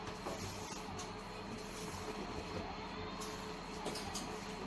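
Steady low rumble of indoor background noise with faint broadband bursts and no animal calls.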